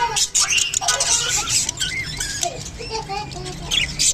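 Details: Japanese budgerigar mating, rapid clicking chatter with short chirped whistles and squeaky notes, busy and irregular.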